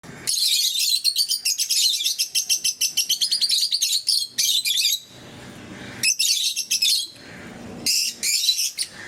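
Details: Several pet lovebirds of various colour mutations kept indoors, giving dense, shrill, rapid chattering chirps almost continuously for the first four seconds, then further harsh bursts of squeaky twittering after short pauses.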